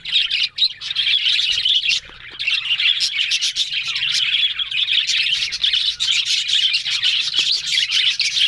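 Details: Several budgerigars chattering on October 1: a dense, unbroken warble of squeaky chirps, clicks and rapid twittering notes from many birds at once, with a brief dip near the two-second mark.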